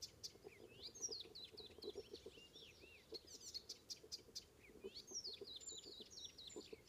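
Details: Icterine warbler in full song on Ameland, north of Hollum, Netherlands, morning of 19 May 2016: a varied, hurried stream of high swooping whistles, sharp ticks and chattering notes, with a low background hum.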